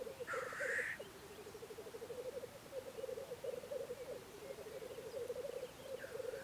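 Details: Lekking black grouse in Russia in spring, giving a hiss at the start and then a long stretch of low, fast bubbling cooing, with a fainter hiss at the end.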